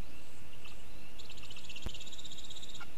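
A white-tailed eagle gives a quick, high, yelping series of about a dozen notes over under two seconds. Steady low rumble and a single sharp knock are also heard.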